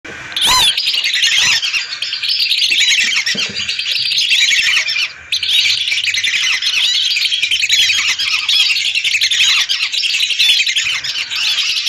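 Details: Hundreds of lesser whistling ducks calling together, recorded for use as a lure; a dense, continuous chorus of high, sharp whistles and squeaky notes overlapping without pause, with one brief dip in the middle.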